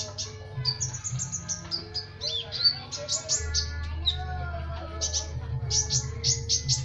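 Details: Sunbird in dense trotolan song for training other birds: bursts of high, sharp chirps and thin rising and falling whistles, closely packed, with a constant low hum behind.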